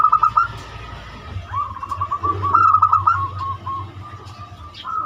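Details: Zebra dove, banyumili type, giving a lure song for other birds: a long rolling run of quick, trilled coo notes wavering slightly in pitch, following an opening short burst, over a low rumble.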